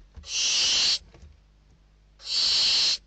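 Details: Barn owl nestlings in Spain, 21 December 2023, begging and fighting over a delivered bird inside the nest. Two loud, breathy hisses about three quarters of a second long, separated by a short rustle.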